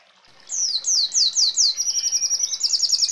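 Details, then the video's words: Red siskin song starting after a brief pause: a run of bright, descending whistled notes at roughly three per second, followed by a quick, dense buzzy trill. "Red Siskin Gacor Ngeroll Isian Gereja Kolibri Rambatan Kenari ❗️Canto Pintassilgo Venezuelano"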